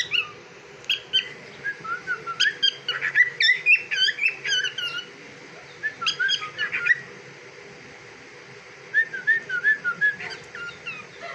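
A cockatiel gives bursts of bright, warbling whistles and chirps, pausing between runs.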